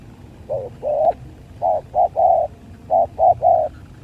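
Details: Spotted dove fight, 2023: a rapid series of low hollow coos, a short note then a long one, followed by clustered triplets of similar notes, each burst clear over a soft rumbling background.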